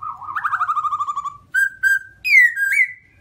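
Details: Black-throated laughingthrush of the white-cheeked type: a quavering trilled whistle, two short level notes, then a high slurred phrase ending in a rising whistle.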